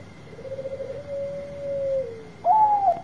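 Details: Bangkok-strain zebra dove, a loud singer meant to get quiet birds singing: a low rolling coo stretching into one long even note, then a sudden louder, higher drawn coo; steady hum in the background.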